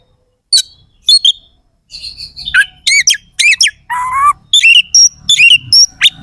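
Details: Oriental magpie-robin song rich in harsh mimicked fill phrases: scattered sharp chips, a run of looping slurred notes, a lower rasping phrase, then whistles and buzzy chatters.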